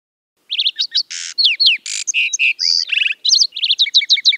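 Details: Lark sparrow in nature delivering a complex song: short chirps, slurred whistles and harsh broadband buzzes strung together in a rapid, irregular sequence, ending with repeated two-note phrases.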